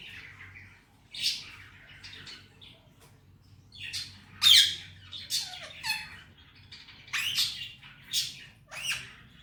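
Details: Pet male Indian ringneck parakeet vocalizing between talking phrases; scattered harsh squawks and raspy chattering bursts separated by short pauses, indoors.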